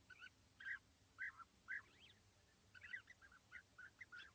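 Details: On a very sunny morning at East Leake Quarry, 5 July 2017, a perched pair of European bee-eaters 80 metres away gives soft, trilled 'prrip' notes in irregular succession, roughly two a second.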